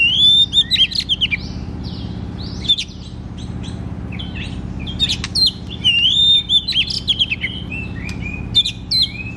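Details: Oriental magpie-robin (kacer) in loud 'ngeplong' song for coaxing untrained birds to sing; fast bursts of high whistles, ticks and chattering notes, pausing briefly, then a dense second burst, over faint hum.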